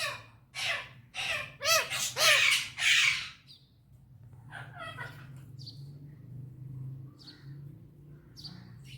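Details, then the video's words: Happy pet parrot, described as talking in Urdu and Hindi, gives a quick series of five or six loud harsh squawks, then falls quiet apart from a few faint chirps over a steady low hum. "Beautiful parrot talking || and happy mood parrot || Urdu Hindi talking parrot"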